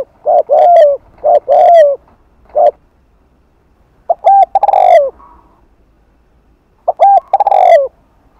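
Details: Afternoon Spotted dove cooing, 'Hạp Bổi' thúc plus gù, to attract doves: a quick burst of short coos, then two full phrases of clipped notes and a long low rolling coo.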